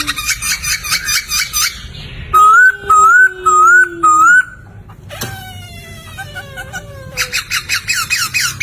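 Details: Laughingthrush (poksay), a master song for training cagebirds: a rich chattering run, then four strong rising whistles over a low steady tone, followed by slurred descending notes and more rhythmic chatter.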